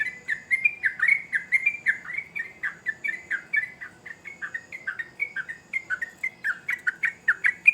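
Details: Softer but continuous lively song of a sooty-headed bulbul. Some thirty quick, dipping whistled chirps follow one another in a chattering stream.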